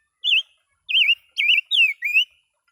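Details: Songbird kept in captivity for two years sings five clear, wavering whistles in quick succession, some rising and some falling in pitch, with near silence between phrases.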